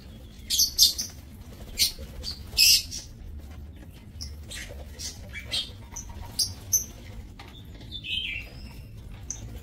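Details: Aviary-housed breeding lovebirds, recorded 30 May 2024, making scattered shrill squeaks and harsh chirps, several loud bursts in the first three seconds, then sparser high notes and a short buzzy call, with low background rumble.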